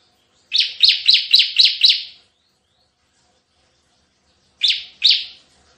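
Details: Bar-winged prinia in energetic 'tembakan' (shooting) song style: a quick run of six harsh, buzzy downslurred notes at about four per second, a long pause, then two more identical notes.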